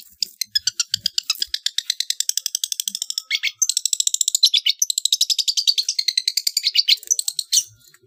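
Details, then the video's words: {'caption': 'Long-tailed shrike in trotol style, used as training material for competition birds: a long, rapid burst of sharp, high chirps that become denser and more metallic midway and end abruptly.'} "MASTERAN TROTOL CENDET JUARA"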